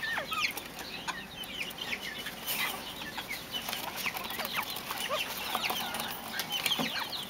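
A flock of Mexican speckled bobwhites keeps up constant, overlapping chirps and short sharp notes, several each second, under a steady hiss.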